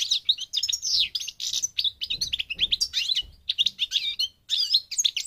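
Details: Parva goldfinch from Morocco, North Africa, pouring out an unbroken sequence of lively twittering, slurred whistles and metallic chirps with hardly a pause.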